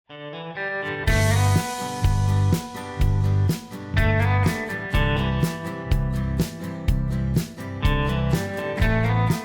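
Steady guitar-led music with a thumping beat, and no animal calls anywhere.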